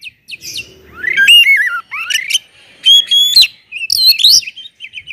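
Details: Oriental magpie-robin singing loudly to provoke rivals into song, clear whistled phrases with slurred rising and falling notes, a sustained pure tone, and short chattering notes between pauses.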